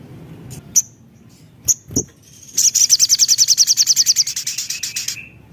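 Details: Javan cochoa song used as a lure to stimulate other birds to sing: a few short, very high whistles, then a fast, even trill of about twenty sharp, buzzy notes lasting over two seconds, ending with a thinner drawn note.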